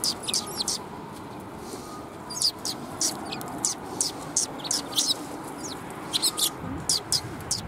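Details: Sparrows gathering to be fed at a shrine in March: repeated sharp high chirps in quick bursts, several birds calling over a steady background hum.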